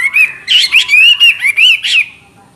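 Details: Continuous clear-voiced song from a Chinese hwamei: a smooth, rolling chain of melodious whistled syllables, rising and falling, flowing together for two seconds before fading.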